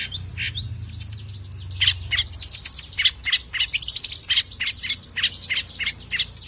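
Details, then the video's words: Long-tailed shrike, a tame bird sung to prompt and tutor other birds, pouring out varied mimicking notes: a steady stream of sharp chirps, buzzy sweeps and whistled squeaks, roughly three notes a second, with a low hum underneath. "BURUNG CENDET JINAK GACOR JUARA SUARA FULL ISIAN NEMBAK"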